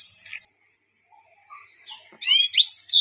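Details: Mozambique bird, the yellow-fronted canary, giving a song filled with strange sounds: a high sustained whistle, a pause with faint chirps, then rapid rising and falling whistled slurs.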